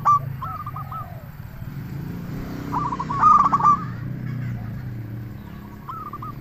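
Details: Local zebra dove singing vigorously, a recording used as a lure to make other zebra doves answer and to stir quiet or stressed birds: short rolling bursts of mellow cooing notes at the start, around the middle and at the end, over a constant low engine-like rumble.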